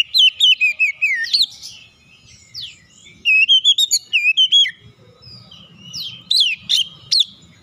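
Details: Magpie-robin song used as a lure to make other magpie-robins respond quickly and sing: loud bursts of fast, wavering whistled phrases, then a short pause, then another warbling burst and sharp rising and falling notes.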